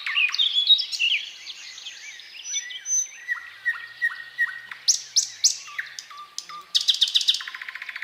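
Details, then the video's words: Thrush nightingale song, described as powerful and varied, with unhurried solemn strophes separated by pauses. Here, high whistled notes give way to a series of short clicking notes and sharp upslurs, ending in a rapid rattling trill. "Соловей поёт"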